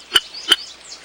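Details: Sora chick hidden among reeds in a marsh, begging for food, gives two sharp, high chips about a third of a second apart, over faint background hiss.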